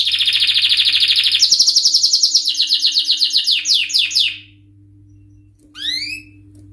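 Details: Male canary singing in high excitement: fast rolling trills of rapidly repeated high notes, about four per second, stepping slightly higher midway, stopping, then a short rising whistled phrase, over a faint steady low hum.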